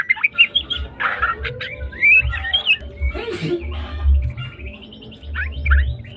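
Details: White-rumped shama from Medan singing in trotol style, with bright whistled swoops and rattling trills broken by harsher noisy bursts, all over a rumbling low background hum.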